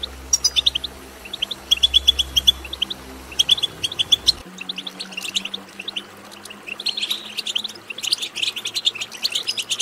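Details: Goldfinch twittering song used to get goldfinches singing: crisp chirping phrases first, then a denser, buzzier stretch of excited twitter, with a low hum and a faint steady tone in the background.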